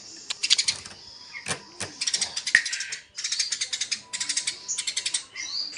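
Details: Eurasian tree sparrows in a fight give dense, high-pitched chirping in rapid rattling bursts, each about a second long, broken by brief gaps and a few lower, scratchy notes.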